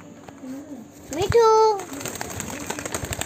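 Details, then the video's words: Indian ringneck parakeet kept as a pet, talking: one sustained, nasal, tone-like syllable lasting about a third of a second, followed by quiet room noise and soft clicks. "Natural talking video | Indian parrot"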